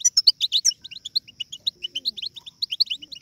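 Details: Babbling of young European goldfinches, meant to stir adult goldfinches to sing: quick high tweets, loud and clustered at first, then spaced twittering notes with short pauses, repeated several times a second.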